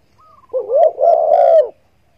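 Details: Spotted dove (Spilopelia chinensis) call used as a hunting lure: a soft, low, hollow cooing phrase, a faint higher opening note then a rolling, slightly wavering coo about a second long.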